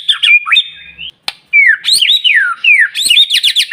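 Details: Lure song of a white-rumped shama, played to make other shamas sing: a steady high whistle, a rising glide, a sharp click, then looping rising and falling whistles ending in rapid high chatter.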